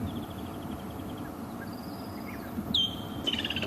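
Distant Woodland Kingfisher: a sharp high note followed by a fast, trilling rattle, faint over a low vehicle rumble, with a few soft high chips earlier.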